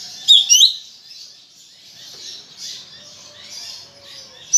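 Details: Greater green leafbird chattering: a brief, loud double whistle sweeping up and down, followed by a long stretch of soft high hiss.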